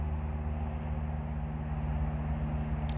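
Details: A continuous deep engine rumble dominates throughout, ending in a brief sharp click; no animal sound is heard.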